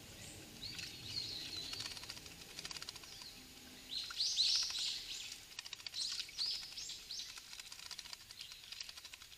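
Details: Japanese thrush, recorded close up by trail camera, giving high, squeaky chirps and twittering notes in short, irregular bursts, the busiest stretch near the middle, over a faint outdoor hiss.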